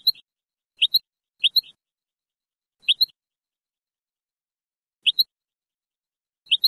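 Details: Old cassette recording of a European goldfinch in Moroccan Sebtaoui song style, cleaned for enthusiasts: crisp paired high chirps, sometimes with a short trailing buzz, coming in irregular bursts with quiet gaps between.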